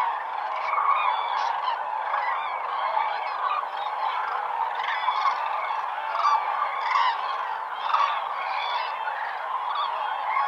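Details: Huge flocks of common cranes at Lake Hornborga in the early morning just before sunrise, giving fanfare calls: a dense, continuous chorus of loud trumpeting, rolling honks from many birds overlapping without pause.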